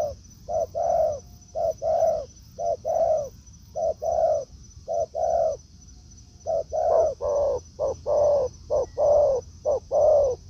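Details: Spotted dove cooing in a forest, a decoy bird taken out after a week of training meeting a wild dove; low hoarse coos in paired short-then-long notes, repeated about once a second, with a steady faint high whine throughout.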